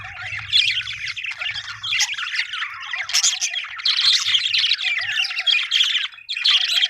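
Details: Happy budgerigar's lively chatter: dense high chirps, squeaky whistles and scratchy squawks pouring out continuously, with a short pause near the end.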